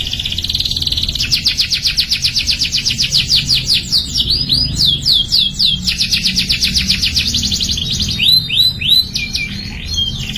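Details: Canary song played as therapy to get young canaries singing quickly: fast rattling trills of rapid repeated notes, then rising swept whistles and sharp chips, continuous for ten seconds over a low steady background hum.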